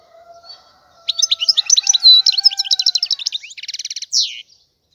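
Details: European goldfinch song: after a faint low steady tone, a lively burst of high tinkling chirps and slurred notes runs for three seconds, closing with a rapid buzzy trill and a short harsh note.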